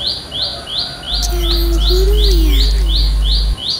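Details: Wild olive-backed tailorbird in village countryside, giving a loud, regular series of short high buzzy downslurred notes about two or three per second; a deep rumble enters after one second, with faint low wavering whistles beneath.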